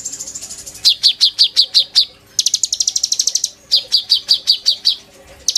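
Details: Lively kolibri ninja sunbird song for bird training: a thin high trill, then strings of quick, piercing chirps alternating with a denser rattling run, the notes falling in tight series with brief gaps between phrases.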